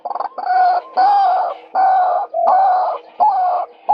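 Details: Male white-breasted waterhen calling for use as a bird lure: loud, nasal, harsh croaks about half a second long, repeated six times in a steady rhythm with brief pauses between them.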